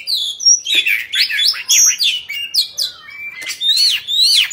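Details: Captive Oriental magpie-robin, performing a dance with fanned tail, pours out loud varied song of quick whistled notes that swoop up and down in short bursts, with scratchy high chips between phrases.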